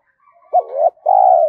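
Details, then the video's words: Short Spotted dove decoy coo used to get captive doves cooing: an abrupt note gliding into a rising hoot, a tiny break, then a long sustained coo dropping slightly at the end. "tiếng chim cu gáy tập bổi new, giúp bổi rất nhanh gáy theo"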